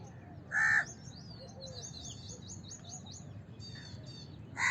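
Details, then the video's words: One drawn-out raspy caw from a house crow and another starting at the end, with busy high twittering of other birds in between. "House Crow Call"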